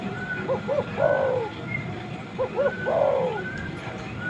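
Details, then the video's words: Spotted dove, male calling a female, used to lure wild birds closer. Two short hooting notes followed by a longer falling coo, the phrase repeated twice, over low rustling background noise. "suara burung tekukur ini!!!ampuh mengundang burung liar pendekat"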